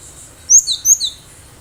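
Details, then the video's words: Wild-caught cinereous tit singing energetically, used to lure other birds, giving a short phrase of two or three high, sharp whistled notes, each sliding downward, over a quiet background. "Gelatik batu gacor suara asli liaran"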